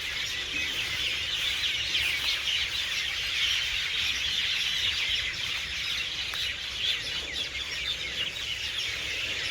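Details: Evening roost of hundreds of birds flocking into garden trees for the night; a constant, loud tangle of overlapping shrill chirps and squeals, steady in volume, forming an unbroken echoing chorus.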